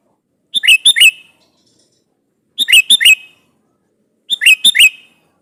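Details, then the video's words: Three identical bursts of ringing, chirpy notes from a sooty-headed bulbul, sung to call a rival and make it reply, spaced roughly every two seconds in a clean, quiet setting. "SUARA BURUNG KUTILANG GACOR MEMANGGIL LAWAN INI"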